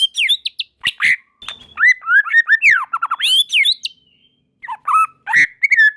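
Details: Several white-rumped shamas in full song, others joining quickly; dense mix of sharp high notes, curving whistles and quick descending runs, a brief lull, then a final flurry of whistles.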